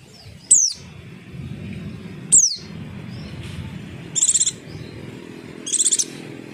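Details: Javan white-eye sounds used to lure birds into answering: two high thin downslurred notes followed by two short buzzy trilled bursts, over steady low background rumble.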